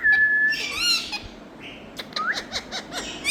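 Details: Parrot in India: a steady whistled note, then a loud harmonic squawk with wavering pitch, a short upward whistle, and a quick series of sharp clicking chirps at the end.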